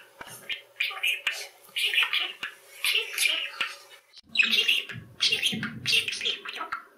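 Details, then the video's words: A male budgie chatters away in Hungarian to himself and the household, mixing rapid mumbled syllables, scratchy warbling and gargled notes in near-continuous bursts, with a low hum in the room. "Jáde, a beszélő hullámos papagáj"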